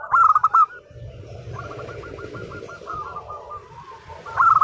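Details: A local zebra dove singing: a loud trilled coo burst opens and closes the passage, and a long string of soft, rapid, repeated coo notes fills the gap between.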